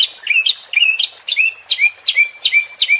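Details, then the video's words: White-rumped shama song for provoking contest birds in Indonesia: loud clear whistles, each a sharp upward flick sliding into a level tone, repeated about three times a second. "MURAI BATU JADI TERPANCING EMOSI DENGAN SUARA PANCINGAN INI | shama bird | murai batu"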